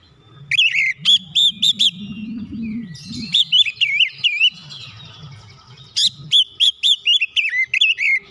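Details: Lure song of an Oriental magpie-robin, played to push lazy magpie-robins into full song: three phrases of loud, swooping whistles, each five to eight quick notes, with a low murmuring hum underneath in places.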